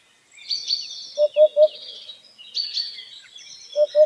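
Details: White-breasted waterhen calling in the wild: three short, hollow, low notes in quick succession, then two more near the end, over a busy background of high twittering and whistling from other birds.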